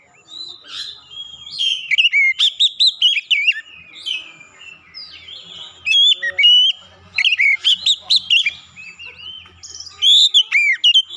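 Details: Clear-toned lure song of an Oriental magpie-robin, meant to get quiet birds singing. Rich, continuous whistling comes in bursts of looping, rising and falling notes mixed with crisp high chips.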